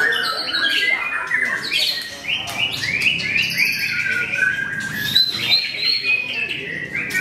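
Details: White-rumped shama singing in a bird contest at Mahendra Arena, a debutant bird that placed on the podium: loud, rich whistled phrases with rising and falling notes and quick trills, overlapping other singing birds, with voices in the background.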